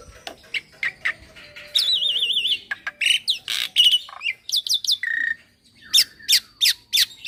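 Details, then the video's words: Varied song of a young Javan pied starling, a captive model bird: rasping squawks, a wavering warbled trill, sharp falling whistles and a flat whistled note, given in rapid bursts. "Masteran Burung Jalak Putih Full Isian - Jalak Putih Muda Gacor"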